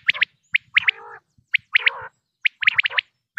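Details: Common quail (batair) from Pakistan calling: bursts of two to four short, sharp high notes, alternating with lower, harmonic nasal phrases, in a quiet background with faint low thumps.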